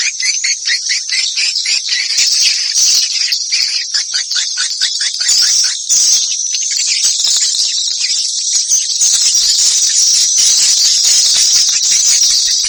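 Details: Swallow sounds of the batara guru type: rapid, high, scratchy chirps in a thick unbroken stream, with many short tick-like notes that grow denser toward the end.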